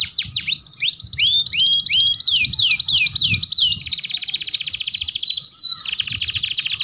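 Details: Canary giving long song for a training master, starting with separate falling whistled notes, then rolling into a rapid continuous high trill that carries to the end.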